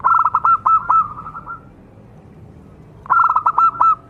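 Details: Local zebra dove singing steadily to stir other doves into song: a quick series of short, crisp repeated coos, then a pause of about a second and a half, then another clipped series.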